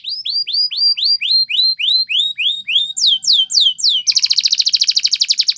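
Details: Belgian canary training song: evenly spaced downward-curving whistled notes, about three per second, rising in pitch, then a sudden switch to a very fast, bright trill.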